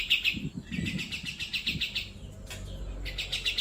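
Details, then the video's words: Grey-cheeked bulbul chattering for use in training pet birds. It gives quick pulsed trills with a gap in the middle. Low thumping noises are heard alongside the early notes. "suara burung cucak jenggot Masteran Paling Gacor"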